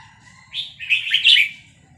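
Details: Vietnamese red-whiskered bulbul, excited by a recording of newly hatched chicks, delivers one fast, rich warbled phrase of several quick linked notes that rises to a bright climax in the middle.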